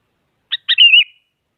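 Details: A sooty-headed bulbul, used as a lure call to spur other bulbuls into singing, gives a brief phrase: a short chip, then a bubbly note running into a clear, slightly wavering whistle.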